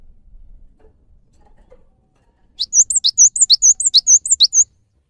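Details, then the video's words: Java sparrow, a lure recording played to prompt lazy, stressed or newly caught caged birds to sing: a quick run of high, clear chirps and looping whistled notes, about two seconds long, after a quiet start. "MASTERAN GELATIK BATU GACOR UNTUK MEMANCING BUNYI GELATIK BATU MALAS BUNYI"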